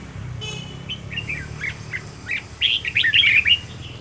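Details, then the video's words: Red-whiskered bulbul decoy bird in song training; a few soft separate notes, then a quick bright burst of chirpy whistles near the end, beneath a steady low hum. "Cách luyện chào mào mồi - Hót hay nhanh lửa, Căng"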